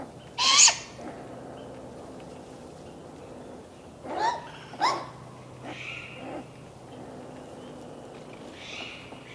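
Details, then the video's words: A Great Grey Owl fledgling begging: a harsh, hissing screech, then two more half a second apart, followed by fainter rasps at uneven intervals over a quiet background. "Owl, Great Gray Fledgling begging call, hoot"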